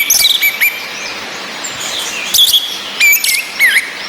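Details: Orange-headed thrush female ngecis calling as therapy for males stuck twittering, with rain behind: scattered sharp whistled chips and short upturned slurs, spaced irregularly through the steady hiss.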